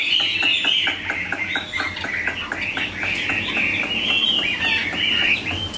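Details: Pet Chinese hwamei, pure-bred and large, singing a steady rolling whistled warble over a hissy, noisier background. Short stuttering notes repeat beneath the main melody.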